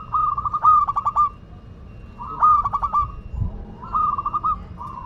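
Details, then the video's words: Singing local zebra dove from Madura, delivering three bubbly cooing phrases of rapid soft notes, each drawn out at the end, about one phrase every two seconds, with a light low hum behind. "Perkutut Lokal Madura Gacor"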